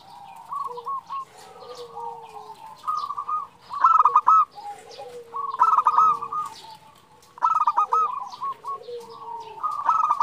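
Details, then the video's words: A female zebra dove calls to a male: a long series of choppy, bubbling coo bursts roughly every two seconds, interleaved with lower falling coos and steady background cooing from several doves. "Perkutut betina memanggil jantan"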